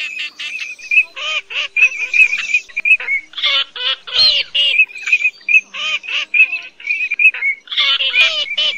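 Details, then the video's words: Lure recording of cotton pygmy goose for night net trapping, August 2024. A continuous chattering series of nasal, harmonic cackles and squawks repeats rapidly throughout, with occasional louder overlapping notes. "Tiếng Mồng Két Bẫy Lưới Đêm"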